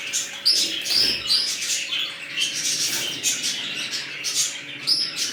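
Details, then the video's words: Budgerigars of a new colony, red-eyed birds included, twitter in rapid high chirps with a few clear whistled notes and squawks, over a faint humming drone. "Budgies Parrots New colony"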